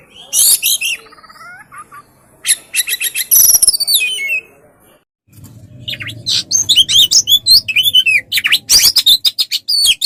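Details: Oriental magpie-robin tutor recording for training songbirds: bursts of high, rapid chattering and sweeping notes, a brief silent pause near the middle, then dense repeated chirps over a low hum.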